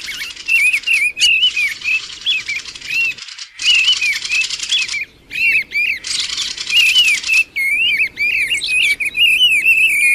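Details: Mistle thrush in passage during 2020. Rapid wavering whistled notes run continuously, overlaid with loud dry rattling bursts several seconds long, with abrupt breaks between sections.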